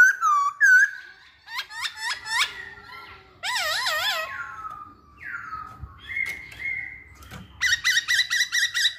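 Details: Masked laughingthrush singing loudly as a lure to prompt other birds into song: mixed whistles, wavering warbled notes, a downward slide, a long steady whistle, and quick clipped notes at the end.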